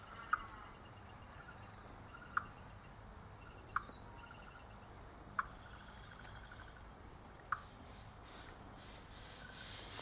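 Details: Red wattlebird (Anthochaera carunculata) in a native White Cypress tree, drawn by sugar syrup, gives five short, harsh chock notes spaced irregularly over about seven seconds, over steady low hiss; a spiny-cheeked honeyeater may also call.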